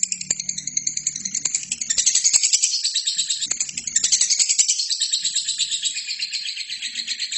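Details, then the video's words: Lovebird singing nonstop, a recording meant for tutoring other birds: dense, buzzy high chatter of rapid pulses running about three to four per second throughout, with a faint low hum underneath. "LOVERBIRD GACOR!!! INILAH HASIL TERAPI MASTERAN TERBAIK 2017"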